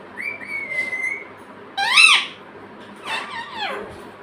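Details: Pet parrot vocalising: a long, level whistle, then a loud burst of harmonic, speech-like syllables and a falling, raspy word-like call.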